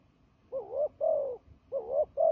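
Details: Turtle dove in a fighting display, kept for trapping, giving loud paired coos, each a wavering note then a smoother steady one, two pairs in quick succession with near silence between.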